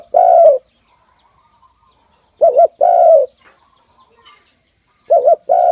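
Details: Tame pet dove cooing in a repeating pattern, a double-peaked short note followed by a long falling coo, phrases spaced about two seconds apart, clear and loud against near silence.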